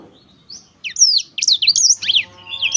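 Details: Black-throated canary singing, a short run of sharp high chirps and slurred whistles after half a second of quiet, ending in a thin trill.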